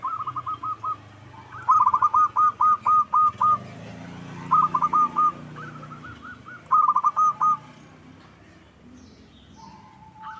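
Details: Local zebra dove lure song, played to make other doves sing back: fast chains of sharp, rolling coo notes in several phrases, one a long evenly spaced run, over a steady low rumble of background noise.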